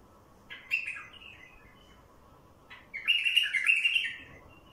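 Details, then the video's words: Wild bulbul singing to attract wild bulbuls: a warbled phrase fading into soft notes, a pause, then a louder, longer chattering burst, with a faint hum beneath. "تغريد بلبل وحشي لفتح البلابل الوحشية"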